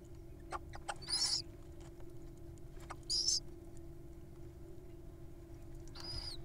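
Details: Wild little owls at feeding time, showing off their appetites: three harsh, hissing screeches, each about half a second long and a second or two apart, over a steady low hum and faint clicks.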